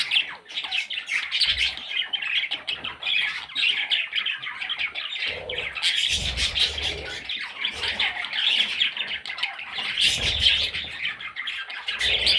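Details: A long run of young parrot chicks squawking and chirping all at once, a busy, scratchy chorus with louder peaks now and then and scattered soft bumps.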